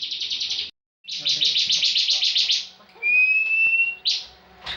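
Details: Bar-winged prinia contest bird singing ngebren. A rapid pulsing buzz breaks off briefly, then a longer buzzy trill follows, then a clear level whistle and a short buzzy burst.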